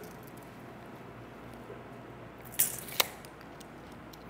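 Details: Quiet room hiss broken by a brief rustling squish and a sharp click near the end, with no animal calls.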